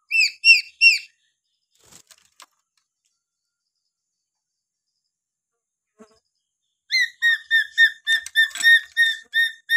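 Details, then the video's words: Papuan lory whistling naturally: three sharp harmonic notes, a long pause with faint clicks, then a fast run of about a dozen short repeated whistled notes. "siulan alami burung nuri paltem papua"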